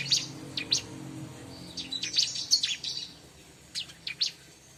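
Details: Bar-winged prinia recording meant for luring birds of its kind: isolated high, sharp chirps, then a short burst of rapid notes, a pause, and two more clipped chirps.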